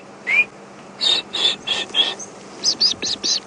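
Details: Blue waxbills call at Djuma Game Reserve on a quiet, cloudy, windy afternoon, 3 April 2016, during a safari drive: thin, high sibilant notes, one rising note then two quick runs of about four short tseeps, over a faint steady engine hum.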